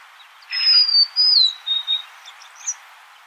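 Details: Golden-crowned sparrow song: a sustained high whistle that drops in steps into a lower, fading note, with faint chirps afterward.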